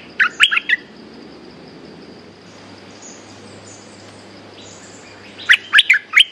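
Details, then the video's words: A territory-holding bulbul replies to a hung decoy bird in 'sap dok' style: a fast cluster of four sharp, bubbly chirps, about four seconds of quiet hiss, then another burst of four clipped notes. "เสียงนกดอกแตงEp.192 แขวนเสร็จ เจ้าถิ่นสับดอกรับเลย!! Suara pikat merbah lekir gacor"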